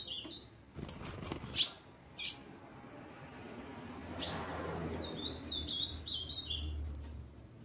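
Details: A female ultramarine grosbeak soliciting, ready to mate, gives sharp, high chips, then a quick run of short, thin notes, with loud wing flutters and soft rustling between them.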